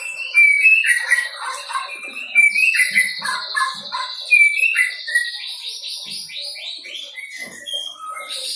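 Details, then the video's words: White-rumped shama just past the juvenile stage, practising song with filler material: bright whistled notes and slurred phrases alongside a long buzzy trill and scattered high chips, varied and continuous. "MURAI BATU PASTOL GACOR BELAJAR BAWA MATERI"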